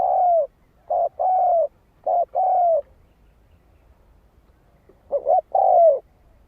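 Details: Spotted dove cooing to pull wild birds toward a decoy. Four mellow phrases, short paired notes leading into longer sinking coos, three quickly in a row, then a pause before the last.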